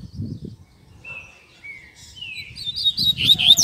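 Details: Double-collared seedeater song used to train young birds, Tui Tui Zel Zel style: three drawn-out whistled notes each slurring downward, then a quick rising high twitter, over low background rumble.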